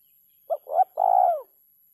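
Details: Single kuk 3 phrase of a spotted dove, three parts: a brief note, a rising note and a long, gently falling hollow coo, cleanly recorded.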